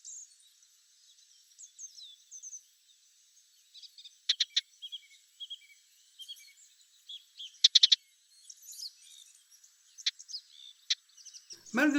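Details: Melodious warbler song on 23 July at the end of the breeding season, near a nest with young being fed: fast, rambling chatter of high, varied twittering notes and sharp clicks, ending in a sudden loud rustle; the song was added to the original soundtrack.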